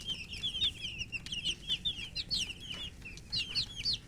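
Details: Baby chickens thirsty for drink water call with loud, piercing peeps, some sliding upward, packed closely together in a lively repeated chorus.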